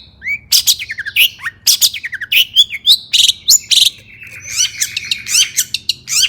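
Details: Agitated long-tailed shrike song meant to rouse other shrikes: a thin rising whistle, then fast harsh rasping bursts and sharp chirps, ending in a quick jumble of high squeaky notes.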